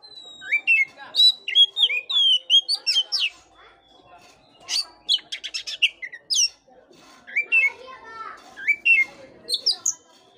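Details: Oriental magpie-robin song played to liven up a listless bird: loud varied whistles, upswept and downslurred notes, a rapid rattling trill around the middle, and further chattering phrases after a pause.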